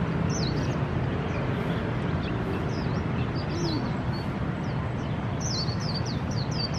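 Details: Swinhoe's white-eye singing in AIT Lohas Park, Taipei, Taiwan: thin, high, sliding notes in short scattered bursts, partly masked by a steady low rumble of traffic.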